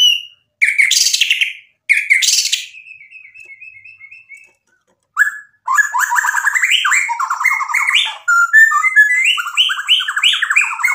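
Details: Lively white-rumped shama singing as a trigger for other birds: two harsh bursts and a soft rapid trill, a brief silence, then a long flowing stream of varied whistled and trilled phrases stepping up and down in pitch.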